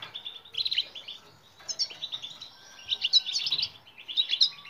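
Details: European goldfinch twittering song, played to train silent birds to sing: quick liquid chirps in separate bursts about every second, with a faint steady tone in the background.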